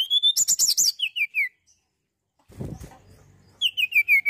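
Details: Mountain tailorbird singing actively, kept as a tutor to prompt other birds: a run of thin, high whistled notes sliding down in pitch, with sharp chirps overhead, a brief rustling thump midway, then the descending whistles return.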